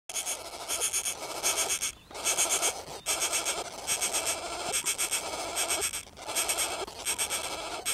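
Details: Northern flicker chicks near Jackson Lake, Wyoming, on 6 June 2015 give harsh, buzzing, rasping bursts about a second long, repeated in an almost continuous chorus with brief pauses between.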